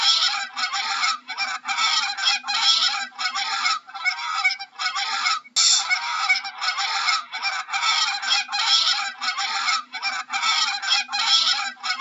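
A goose honks loudly and harshly in steady bursts, several honks a second, with a brief pause near the middle.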